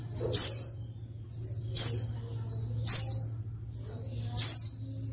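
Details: Female white-eye calling to provoke reluctant males into singing: four high, thin chirps, each sliding sharply downward, spaced about 1.2 to 1.5 seconds apart, over a faint low hum.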